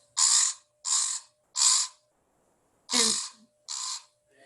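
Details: A common raven (Corvus corax) gives five deep, harsh, rasping guttural croaks in about four seconds, each short and evenly spaced, over a faint steady hum.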